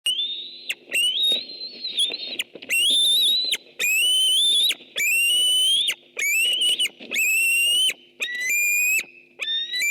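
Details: White-tailed eagle at a nest webcam on 6 August 2015: loud, high, yelping whistled calls with bright harmonics, each a drawn-out slightly rising or wavering note, coming in quick series with short pauses, over a faint low background hum.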